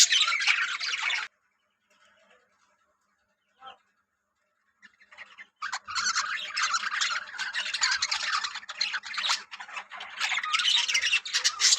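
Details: Yellow budgerigars in a breeding colony. A burst of warbling chatter is cut off, followed by several seconds of near silence with one faint note, then a dense, scratchy chorus resumes and continues to the end.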